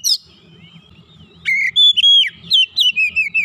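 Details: Oriental magpie-robin (kacer) spurred by a single lure into eager gacor song: after a quiet start, a sudden run of clear whistles, one long held note, then a string of quick descending chirps.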